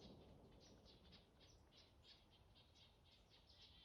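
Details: Black-capped chickadees, with Red-breasted Nuthatches, chatting in woods in Beltrami County: a rapid stream of high, thin chips, about four a second, over a steady low rumble of background noise.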